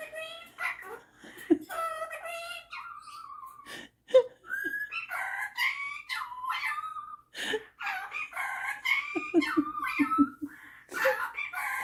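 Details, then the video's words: Captive male Superb Parrot, showing off singing and mimicking, mixes clear whistled phrases, some long and level, with speech-like chatter and sharp squeaks in a varied, irregular stream indoors. "Superb Parrot Malibu showing off his singing and mimicking skills"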